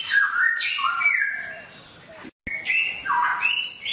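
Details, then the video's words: Songbird singing, a recording meant for caged birds to hear ten minutes a day: fluid whistled phrases stepping up and down, a brief silent break midway, then bright rising whistles resume. "MUỐN CHIM HÓT HAY| MỖI NGÀY 10 PHÚT | TỰ NHIÊN CHIM HÓT GIÀ RỪNG"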